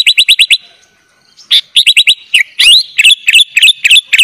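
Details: Sooty-headed bulbul in lively full song with fill-ins, meant as a tutor for young bulbuls: a quick series of even chips, a short gap, then a busy, continuous stream of bright whistles and upslurred chirps.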